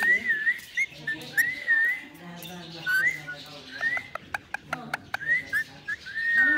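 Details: Green Indian ringneck parakeet whistling: repeated short rising-and-falling whistles, with soft clicks and a low murmuring voice in the background.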